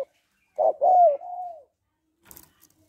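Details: Female spotted dove calling to excite a male, a call trainers use to stir males: one cooing phrase of two short throaty notes, then a longer, smooth, slightly falling coo, followed by faint clicks.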